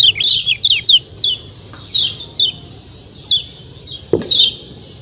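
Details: White-eye, called kecial kuning, in a natural setting with 'ciak ciak' calls: clusters of thin, high downward-sliding chirps, a quick run at the start then spaced notes, over faint low rumble and one brief lower knock.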